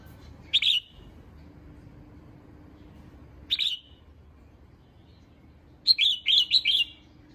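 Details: Female red-whiskered bulbul calling to stir up males. Two single sharp chirps about three seconds apart are followed by a quick run of four bright whistled notes.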